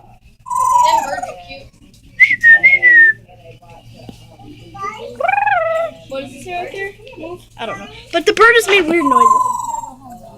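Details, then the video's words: Pet parrots indoors making varied noises: whistles, warbling mimic-like phrases and a harsh burst of harmonic squawks, with a low steady hum and a person's voice nearby. "Parrots making crazy noises!"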